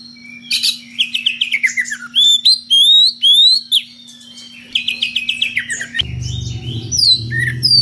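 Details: Oriental magpie-robin, kacer, singing in ngeplong style to call a rival, with unusual variations: loud whistled notes and rapid descending trills between 2 and 8k, sweet upslurred whistles, a low hum throughout and a rumbling noise near the end.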